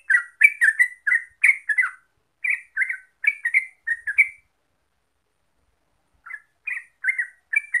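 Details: Yellow-vented bulbul (Pycnonotus goiavier), local name trucuk, a lure track to make birds sing continuously: bursts of bubbly slurred chirps for about four seconds, a two-second silence, then the chattering notes resume.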